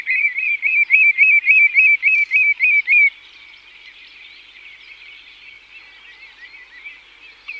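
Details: Song display from several common redshanks: a fast, even run of clear yodelling notes, about three or four each second for three seconds, then fading into a softer chorus of distant calling birds.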